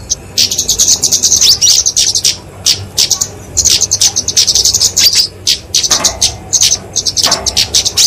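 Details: Fighting song from a kemade flowerpecker, genus Dicaeum, used to train and lure small birds: long bursts of very high, buzzy ticking notes, pausing between phrases, ending in scattered sharp clicks.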